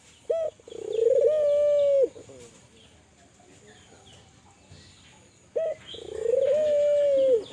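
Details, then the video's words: Kelantan spotted dove calling energetically to stimulate other doves: two phrases about five seconds apart, each a brief opening note followed by a long level hollow tone with a drooping end, with quiet background noise between. "Suara burung TEKUKUR gacor, merangsang burung Tekukur agar bunyi, burung tekukur kelantan gacor."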